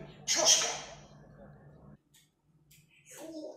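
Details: Pet grey parrot mimicking a phone call ("Allo!") in human speech: a sharp, hissy burst of words, a short pause, then a lower, voiced spoken phrase.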